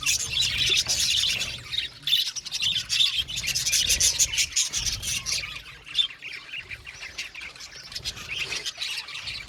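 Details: Budgies chattering together, a continuous scratchy warble of high, rapid chirps and squawky notes, overlapping voices that rise and fall in loudness over nine seconds, with a faint low background hum.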